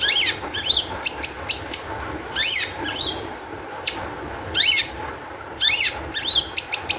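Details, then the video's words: Long-tailed shrike in high-energy song, meant to spur other shrikes to sing: loud grating, squawking bursts with downslurred harsh notes, separated by brief pauses and sharp chips. "cendet gacor EMOSI TINGGI cocok untuk PANCINGAN CENDET AGAR BUNYI"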